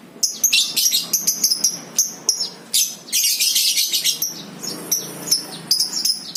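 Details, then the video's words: Lovebird in 'ngekek', a long chattering song, used as a lure (pancingan) to prompt other lovebirds to sing; shrill, rapid, high-pitched chirps and trills in dense bursts with brief pauses throughout. "PANCINGAN 100% NGEKEK BURUNG LOVEBIRD!! AUTO NGEKEK"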